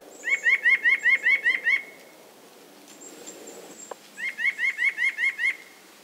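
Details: A White-breasted Nuthatch in an eastern North American backyard gives its common nasal 'yank' call in two quick series of seven or eight even-pitched notes. A thin, high whistle from another bird sounds faintly between them.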